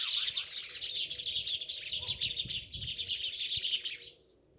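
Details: Sparrows in a steady unbroken chorus of high bright chirps layered over one another, stopping abruptly just before the end, with faint low rumble beneath.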